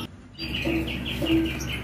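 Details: A tame, settled European starling with a pearl-spotted colour mutation sings in a kiosk, a quick run of bright, chirpy notes about four a second, over a low background hum; such starlings are said to rarely sing this much.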